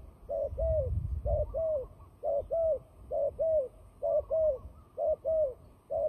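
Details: Turtle dove calling in fighting mode, used to lure birds into traps. Low, hollow double coos, the second note slightly longer and falling, repeat in a regular rhythm roughly every second, with a brief low thump near the start.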